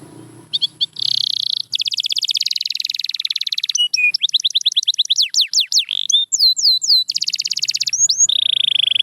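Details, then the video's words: Canary singing, played to prompt quiet canaries: a buzzy trilled tour, a long rapid pulsing roll, falling sweeps, looping whistled notes and a closing steady whistle. "The Secret Sound That Brings Back Any Quiet Canary"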